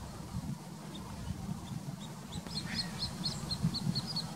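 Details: Little grebe giving a quick series of high, squeaky notes, about five per second, rising into a trill-like run, over a steady low rumble; Plaiaundi, Txingudi, Irun, Gipuzkoa, September 2019.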